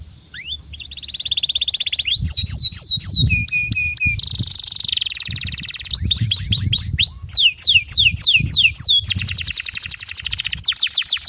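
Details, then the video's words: Canary, timbrado type, singing a long varied song: rapid rising whistled trills, buzzy rolled passages and sweeping slurred notes repeated in quick series, loud and continuous throughout. "Amazing Canary singing"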